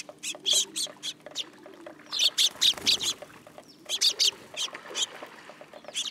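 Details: Sparrows landing on a hand at a Tenmangu shrine, 8 July 2022. Dense runs of sharp, high chirps come in two clusters separated by a brief lull, with a low steady hum underneath.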